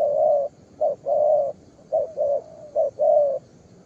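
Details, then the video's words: Young spotted dove, a two-necklace bird, cooing vigorously: low mellow hooting coos in groups of a short note followed by a longer drawn-out coo, repeated in rhythmic phrases. "Đồng pha cườm 2dây.Clip444/ Chim tơ có bài, đánh ngay cội quá sung."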